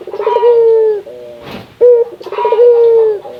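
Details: Indonesian local puter dove, a vocal calling bird, used to prompt other doves to call: two phrases, each a fluttering trill flowing into a long, smooth, gently falling coo, separated by a brief rustle.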